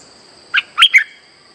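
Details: Lure call of a streak-eared bulbul used in trapping: a short triple phrase, one soft note then two bright slurred chirps, against a faint steady high tone.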